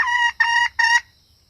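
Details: Female red junglefowl lure call: three evenly spaced harsh, nasal notes, each about a third of a second, followed by quiet.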